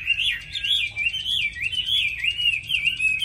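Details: Undulating whistled phrase from a caged Chinese hwamei in Vietnam, a bird with a fine voice that sings readily; the tone rises and falls in smooth waves about twice a second.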